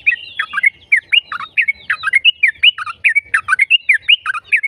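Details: Yellow-vented bulbul in full rapid song, offered as a lure for other bulbuls to sing along; tight, bubbling chatter of liquid slurred notes repeating fast and evenly.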